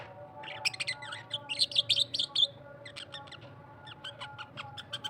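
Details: Australian parrot song opening with a burst of bright warbling and squeaky chirps over about two seconds, then thinning to scattered sharp clicks and short tweets, above a faint constant low hum.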